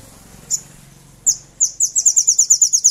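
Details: Sogon (little spiderhunter) used as a provoking lure for rival birds. A few high chips break into a fast, ringing trill, over a low background hum.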